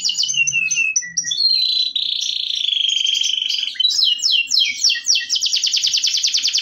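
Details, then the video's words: Local canary in masteran therapy song: opening chirps, then a long steady whistled note held about two seconds, followed by quick downslurred notes and a fast rattling trill. "masteran terapi suara kenari lokal"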